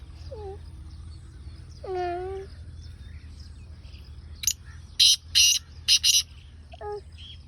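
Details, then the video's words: Black francolin calling in a village setting. A burst of loud, harsh, grating notes comes in quick succession, preceded by a few lower tonal squawks and followed by one more, over a steady low hum. "Kala Teetar ki Bolai"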